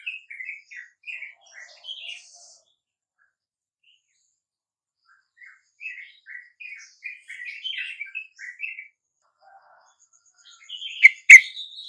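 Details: Sooty-headed bulbuls answering a lure at dawn: two bursts of quick bubbly, chattering notes separated by a silent pause, ending with a sharp click and a brief higher chirp.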